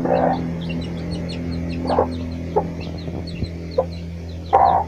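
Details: A hen foraging alongside her chicks gives short clucks at irregular intervals, the loudest at the start and near the end, while thin high chick peeps continue faintly over a constant low background hum.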